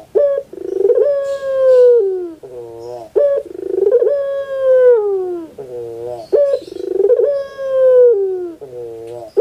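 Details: Puter pelung dove cooing, played to coax a silent dove into singing: three full phrases, each opening with a rolling throb, swelling into a long, slightly falling coo and ending in a short, wavering lower note.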